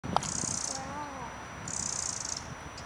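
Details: A pair of Eurasian wrens alarm-call at a cat in a wildlife garden on 12 March 2012: two high, dry, rattling churrs, each under a second long and about a second apart, with a faint low whistle between them.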